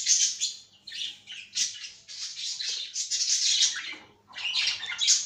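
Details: Caged cockatiel singing a continuous stream of high, scratchy chirps and warbles in loud phrases, with a short lull before a final burst of chatter.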